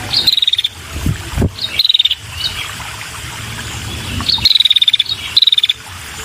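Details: Female red-headed prinia calling energetically to lure males: short rapid trains of dry, buzzy ticking notes at a high steady pitch, in bursts about a second apart, with a few low knocks and thumps in between.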